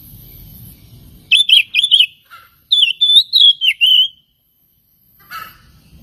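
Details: Lure song of an oriental magpie-robin for provoking other birds, with loud warbling whistled phrases wavering up and down, several notes in quick succession, ending in silence and a brief faint chirp.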